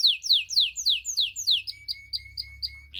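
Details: Song of two canaries, a white canary and a crested canary: a run of about seven clear, loud, downward-slurred whistles at roughly four per second, then a softer series of short, thin repeated notes.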